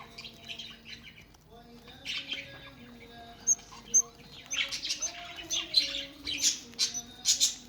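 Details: Budgerigars kept for breeding: soft, scattered high chirps and twittering, growing busier in the second half, over a steady low background hum.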